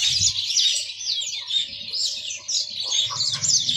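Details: Yellow-fronted canary warbling high, slightly blurred twittering notes at about two phrases a second, accompanied by low rumbling handling sounds and thuds at the beginning and end.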